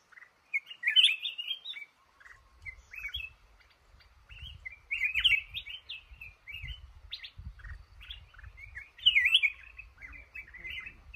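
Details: Trapped male red-whiskered bulbul, the boss of a cashew orchard, sings bright warbling phrases. Louder bursts come roughly every four seconds, with softer chatter between them. A low thumping rumble runs underneath.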